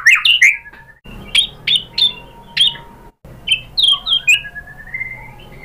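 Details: White-rumped shama song for training other birds: a few sharp chirps, then spaced bright whistled notes with a short silent gap, ending in a rising thin whistle over faint background hum.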